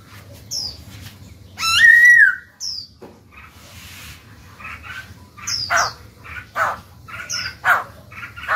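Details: Black-throated laughingthrush in a cage, singing to coax newly caught birds to sing: one strong descending whistle, then a busy run of short, thin, chattering and whistled notes.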